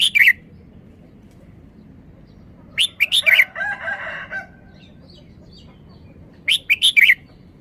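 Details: A red-whiskered bulbul sings its sweet three-syllable song. Short, bright, warbled phrases come at the start, around three seconds and near seven seconds, with a lower harmonic rasping sound between them.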